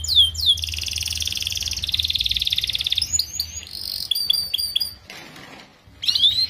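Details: Canary singing, a recording for schooling young canaries: opening downward sweeps, long fast trills, clipped chattering notes, a short pause with faint noise, then renewed sweeping whistles.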